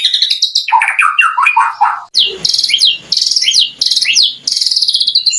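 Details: White-rumped shama singing to provoke rival shamas into replying: rapid tumbling whistled notes falling in pitch, followed by repeated sharp chattering phrases with upward sweeps.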